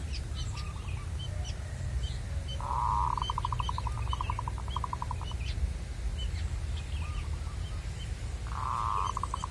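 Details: Zebra dove from the wild, heard while being lured: a long, loud cooing phrase opening with a sustained note and running into a fast, even trill of many pulses, with faint answering phrases and scattered small chirps over steady low hum.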